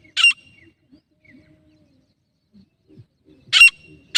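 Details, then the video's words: Grey francolin (teetar) hen in Jharkhand, recorded as a hunting call, gives short, harsh, scratchy notes, one alone and then a quick pair about half a second apart, with faint low rustles in the gaps. "female teetar voice grey"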